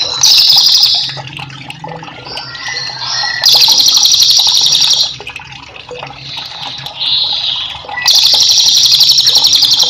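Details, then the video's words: Velvet-fronted Nuthatch, used as master song for training cage birds, delivering repeated high rolling trills of one to two seconds with varied whistled notes between, against a steady sound of flowing water. "cililin gacor cocok untuk masteran"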